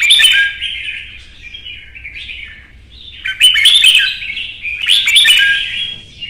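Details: Red-whiskered Bulbul in a cage during a heated song contest, loud warbled phrases at start, a quieter gliding whistle, then two strong chattering, slurred bursts.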